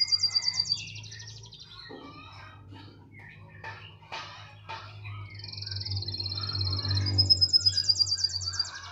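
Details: Canary song opening and closing with fast, pulsed, high trills, a jumbled middle of clicks and short notes, all over a steady low electrical hum.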